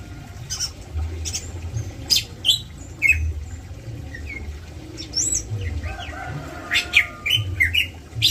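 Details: Greater green leafbird calling during a mating session using the "kawin cabut" pairing system: scattered short chirps and thin, slurred whistled notes, some sliding up or down, in loose clusters with gaps; low steady background hum.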